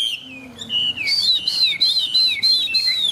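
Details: Caged Chinese hwamei in full song: a long descending whistle gives way to a string of bright, clear arched notes repeated about every quarter second.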